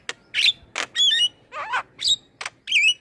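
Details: Song from a male black-winged starling meant as a lure for young birds to copy: a run of scratchy bursts and twisting whistled notes, each under half a second, with brief pauses between.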